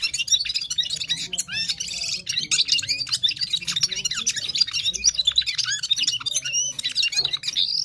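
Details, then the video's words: Himalayan Gulsar of Parachinar singing hard: a sustained, tumbling stream of rapid high chirps, trills and whistled twitters, dense and unbroken for several seconds, ending on a rising squeak. "Gulsar singing parachinar Himalayan top bird full power sings"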